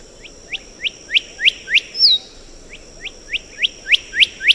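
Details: Black-headed whistler (Pachycephala monacha), a bird of disturbed lower mountain areas, giving sharp whistles: two series of quick downslurred notes, each series rising in loudness, about three per second, split by one high slurred note.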